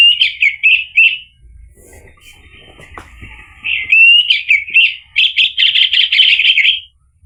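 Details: Orange-headed thrush song used as a lure to provoke a male to sing: bursts of varied whistled and warbled phrases around mid-high pitch, a quieter gap, then a long rich warbling run.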